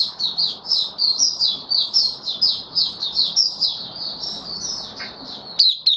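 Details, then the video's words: Kept white-eye singing its open song (buka sing) on 18 May 2022, after regular deworming and health supplements; a continuous high twittering run of rapid, slurred chirps, with faint low room murmur beneath. "Mata Puteh Kitaro buka sing"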